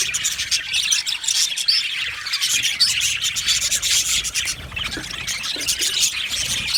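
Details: Happy budgerigar colony in an aviary, rapid overlapping chirps and scratchy warbles forming a constant high chorus.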